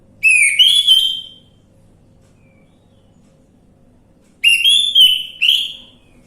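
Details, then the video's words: Orange-headed thrush song as a lure to make a reluctant bird sing: a loud warbled whistle phrase, a pause of about three seconds, then a second phrase of three quick whistled bursts. "Pancingan Anis merah macet bunyi"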